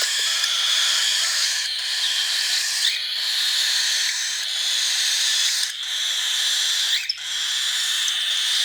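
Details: Baby cockatiel begging during hand feeding in March 2021: an unbroken, grating hiss-like rasp, interrupted about every second or so by brief catches and small rising squeaks.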